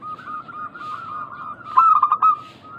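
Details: Local zebra dove singing vigorously as a lure to draw replies. A rolling series of soft coos, then a brief loud burst of stuttering notes before the rolling coos resume.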